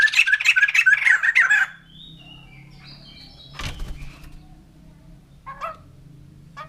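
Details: A white-crested laughingthrush, known as the laughing bird, gives a loud, fast cackling chorus for under two seconds. Quiet follows, broken by a thump and a brief final chuckle.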